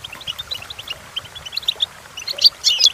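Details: Goldfinch song for training goldfinches: soft, scattered chirps that quicken into a louder cluster of twittering, tinkling notes near the end.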